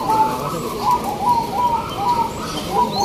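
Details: Zebra doves (perkutut) at a local perkutut singing contest in Singosaren, Yogyakarta, during the first free-class session, coo together in soft, mellow phrases, short notes about every half second, overlapping into a steady chorus with a faint background murmur.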